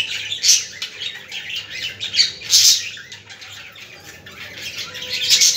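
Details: Chattering budgerigars, used to stimulate budgies: loud harsh squawks mixed with rapid scratchy warbling, bursts coming irregularly every couple of seconds.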